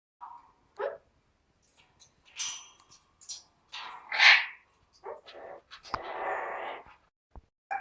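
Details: A pet Amazon parrot singing opera it picked up from YouTube gives a string of short, varied vocal bursts: tonal warbles, a loud rising squawk, and a longer raspy, breathy phrase, with brief pauses between.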